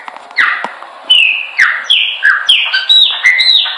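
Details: Chopi blackbird song meant for training: a quick run of loud, clear whistled notes, many sliding downward, given about twice a second with hardly any pause between them.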